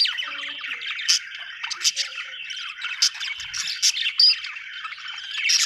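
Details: Chattering budgerigars, a steady flow of high warbling notes with scattered sharp tweets and a bright whistled squeak, several birds overlapping.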